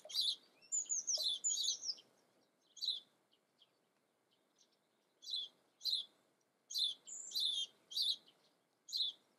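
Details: Common blackbird song made of squeaky, scratchy twittering bursts with a few whistled slurred notes, delivered in separate phrases with pauses of a second or more between them.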